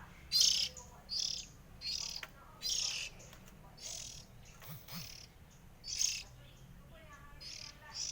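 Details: Three sibling Oriental magpie-robins give short bright chirping bursts about once a second, broken by softer whistled notes and faint warbles over a low background hum.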